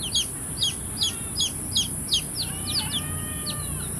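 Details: Chicks peeping: evenly spaced high falling chirps about every half second, then overlapping softer arched calls from several chicks near the end.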